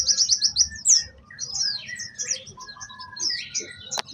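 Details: Orange-headed thrush singing vigorously with mimicked fill-in phrases: a fast run of sharp high notes, then varied whistles and short trills, ending in a single sharp click.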